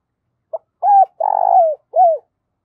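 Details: Spotted dove used as a decoy to lure wild doves, cooing: a short clipped note, then three low, hollow coos, the middle one longest and slightly falling, ending in a brief final coo, in a quiet setting.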